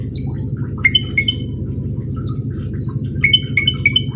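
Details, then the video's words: Black-winged myna song of clear high level whistles and short pure notes given in quick groups of three or four, with a few clicks, over a constant loud low droning hum. "suara burung cucak keling"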